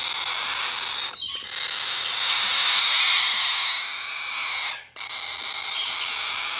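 A blue-eyed cockatoo chick gives a harsh, wheezy, almost unbroken rasping begging call, pausing briefly twice, with no other sounds.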